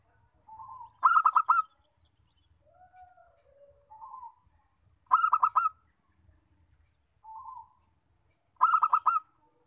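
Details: Zebra dove of a local strain, kept to prompt singing. Three songs arrive about four seconds apart; each starts with a soft short coo and runs into a fast rattling series of mellow pulsed notes over faint low background noise.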